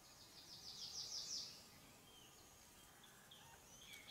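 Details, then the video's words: An Asian green bee-eater perched at a seasonal waterhole in dry deciduous forest in Srepok Wildlife Sanctuary, Mondulkiri, Cambodia, on a 1 May 2019 morning, gives a quick burst of high trilled chirps, then fainter calls over a steady outdoor hiss. "Green Bee-eater"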